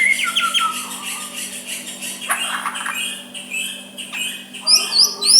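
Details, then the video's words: White-rumped shama with a soft song meant to make a rival reply; mixed whistles and harsh notes, quieter in the middle, ending with bright high upslurred whistles, over a low hum. "Murai batu suara lembut cocok untuk MEMEKAT lawan ikut emosi dan saling balas"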